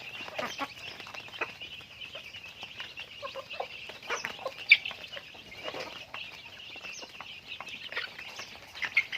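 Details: A chicken flock during its daily activity keeps up thin, high peeps and a few low clucks, with occasional sharp knocks.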